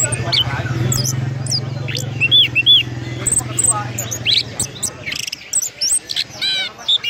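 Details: A champion orange-headed thrush at a songbird contest at Samsat BSD gives a rapid, rolling, varied run of high whistled and chirping notes over a low steady hum and crowd voices.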